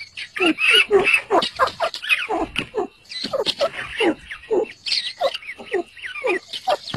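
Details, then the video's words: Partridge chirping while chicks fight with each other: harsh, grating squawks in quick bursts, several each second, with chattering overlapping notes and no other sounds standing out. "partridge Sound"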